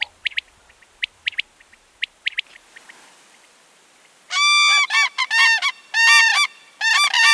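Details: Common crane in autumn: after a few seconds of sharp, brief chirps from another bird, loud trumpeting calls with rich harmonics burst in, given in quick rough bursts of several notes with short gaps between them.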